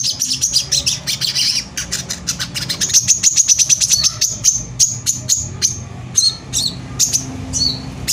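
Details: Brown-throated sunbird singing hard in dense rapid bursts, a bait song meant to provoke rivals; a long run of fast, high, ticking chirps followed by scattered sharp whistled notes.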